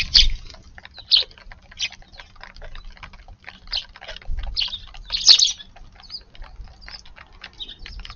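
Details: Eurasian tree sparrow visiting a garden early in the morning on 2/6, landing after a brown-eared bulbul moved away: short, bright chirps repeated irregularly about once a second, with soft low thumps and rustling.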